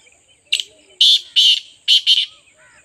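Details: Partridge giving a brief scratchy note, then four loud, coarse grating bursts grouped in two pairs, followed by a faint trailing sound in near silence.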